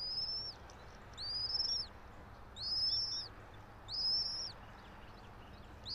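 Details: Bald eagles nesting roughly 90 feet up a pine in Johnson City, Tennessee, filmed by nest camera at 06:28 on 04.03.2024: four clear, high, arched whistles, each about half a second long, spaced about one second apart, with a faint low hum.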